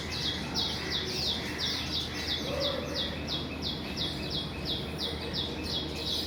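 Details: Weaver birds at their nests in the morning, flying in and out; a rapid, even series of sharp, high chirps repeats about three times a second over soft ambient noise.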